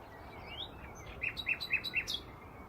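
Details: Nightingale singing at Braziers Meadow, Orwell Country Park, among hedges: a soft rising whistle, then four loud, evenly spaced repeated notes about a quarter second apart, ending in a sharp higher flourish, over faint background hiss.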